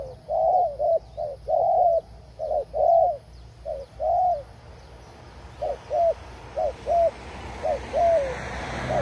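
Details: Forest doves heard while trapping, giving short soft cooing notes in quick pairs and triplets, rising then falling, repeated steadily across nine seconds, with a faint steady background hum.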